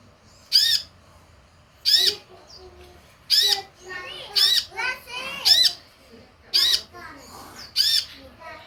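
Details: Sunbird lure recording to make other sunbirds answer: eight hard, buzzy, rasping bursts at roughly one-second intervals, with soft chattering twitters and low murmurs between them.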